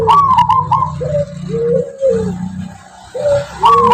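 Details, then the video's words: Song of a local wild-type zebra dove of the Tuban strain, whose rhythmic voice is said to be distinctive: soft cooing notes, some sliding downward, in short phrases broken by pauses, over a low hum. "Suara perkutut lokal alam tangguh tuban"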